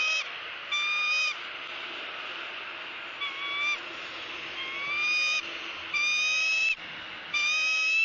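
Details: Wild female bald eagle at a Southwest Florida nest, filmed by eagle cam on January 3, 2017, squawking while her mate eats a fish and passes her bites: high, piercing, whistled squeals with rich overtones, each under a second, repeated in a steady series.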